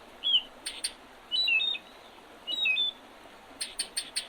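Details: Spring birdsong by the Oredezh River, Leningrad Oblast, Russia, on 8 April 2023: a rising whistle, then short high chirps and clear whistled phrases, ending in a quick burst of sharp ticking notes.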